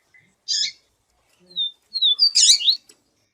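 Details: Papa-capim viviti, the yellow-bellied seedeater, with female call notes played to excite a male; a harsh high burst, thin descending whistles, then a dense buzzy chattering phrase, otherwise quiet.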